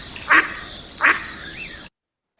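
A mallard gives two short, harsh quacks about three-quarters of a second apart, followed by a faint softer note, over a steady background hiss.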